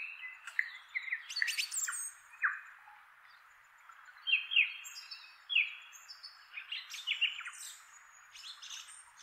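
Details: A male song thrush sings its characteristic song from the top of a chestnut tree in inland Kapiti, New Zealand: bright, varied whistled and chirpy phrases, some sweeping quickly, a few repeated in turn. Faint background hiss.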